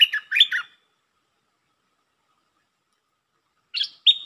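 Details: Red-whiskered bulbul song in the lak ber style: the end of a chirpy phrase with falling notes, a long pause, then the start of another bright whistled phrase.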